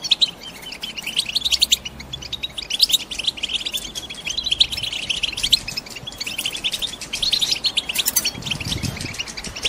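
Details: Excited female European goldfinches, kept in a cage and ready to nest, twitter continuously to spur a male into singing; layered high chirps and trills overlap, with a louder flurry near the end.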